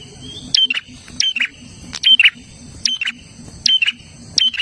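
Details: Olive-backed tailorbird singing energetically. Clipped whistle-and-buzz phrases come about every three-quarters of a second, each a bright note sliding into a rasping burst. A continuous high whine, possibly insects, sits in the background.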